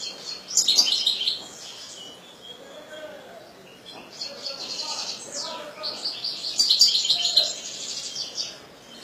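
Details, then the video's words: European goldfinch twittering in two high, rapid phrases at the start and near the end, with soft human voices and low murmuring in between. "حسون رقم 2"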